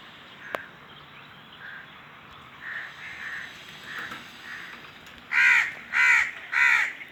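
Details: Crow giving several softer distant caws, then three loud, harsh, evenly spaced caws close together near the end over a quiet background.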